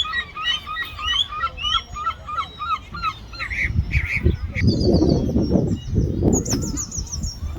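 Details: Gulls squabbling over food: a quick series of nasal, harmonic 'kow' calls about three per second, then loud low rumbling and flapping noise with shrill high squeals over it.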